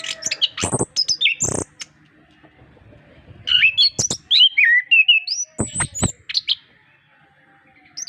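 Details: Orange-headed thrush (anis kembang) master song to encourage hesitant birds to sing; clipped high notes and harsh bursts open, then after a quiet stretch a flowing sequence of twisting whistles.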